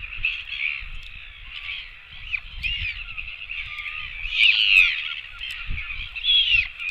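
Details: On a nest camera dated 24.09.17, royal albatross chicks beg for food with a continuous stream of nasal, wavering cries, swelling into a louder, rising squeal near the end; faint wind below.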